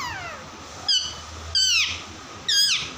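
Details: Two pet parrots playing, with three clear harmonic calls that slide downward in pitch, each about a third of a second long and spaced roughly a second apart, over a quiet indoor hum.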